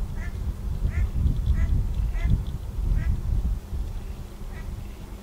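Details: Pacific black duck accompanied by ducklings, giving short, bright calls at irregular intervals, roughly one every half to one second, against heavy low-pitched rumbling noise.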